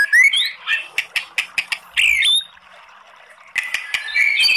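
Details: White-rumped shama singing to provoke other birds: a rising whistle, harsh squawky notes and a string of sharp clicks, a loud scratchy burst, a quiet gap, then renewed chattering whistles.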